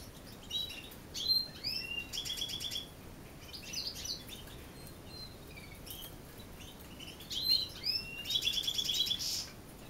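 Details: European goldfinch singing at dusk, its song at times covered by singing canaries: scattered bright twittering phrases, short buzzy trills and sharp high chirps in irregular bursts, with quiet gaps between them.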